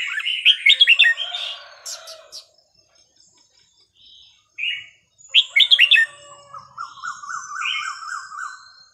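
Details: Red-whiskered bulbul singing varied, bright, bubbly whistled phrases in short bursts, used to teach young birds, with a fainter second bird's rapid rising-falling trill in the background.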